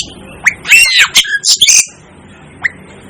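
Asian glossy starling giving a burst of harsh, squawky notes mixed with sharp rising whistles, then a single thin upslurred whistle after a short pause.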